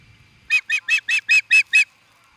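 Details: An osprey at Charlo, Montana, USA, calling at an intruder, gives a quick series of seven shrill, whistled notes, about five per second, evenly spaced and fairly steady in pitch.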